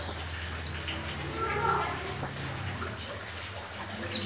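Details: Oriental white-eye with yellow breast, a keeper's bird in full lively song: three bursts of thin, very high downward-sweeping chirps, each doubled, spaced about two seconds apart, with a faint murmur between.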